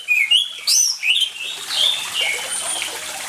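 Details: Orange-headed thrush in full song with water sounds, meant to coax quiet birds into singing: a few loud fluty whistled phrases, then softer warbling fading into a steady watery hiss.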